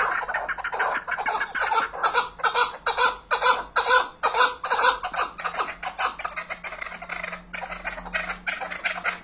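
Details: Chukar partridge repeating harsh clucking notes roughly twice per second, building into a rolling chuckling series that softens toward the end, with a faint low hum behind.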